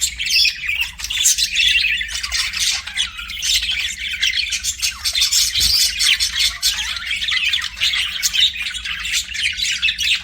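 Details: Budgies chattering nonstop, a busy blend of raspy chirps, squeaks and warbles over a faint low hum.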